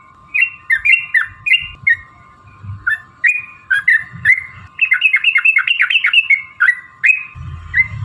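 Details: Yellow-vented bulbul song used to stir other bulbuls into singing. Separate bubbly phrases with short gaps first, then a fast burst of clipped notes in quick succession, then more spaced phrases, all over a steady faint hum.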